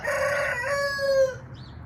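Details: A red junglefowl gives one clear crow of just over a second: a strong, rich, harmonic cry holding a steady pitch, breaking briefly midway, then trailing off, against a soft low hum.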